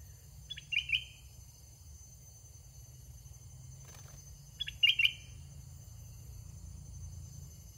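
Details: Caged red-whiskered bulbul used as a decoy to lure young wild birds. It gives two short, bright chirping phrases about four seconds apart, each a quick cluster of high notes, over a steady low hum.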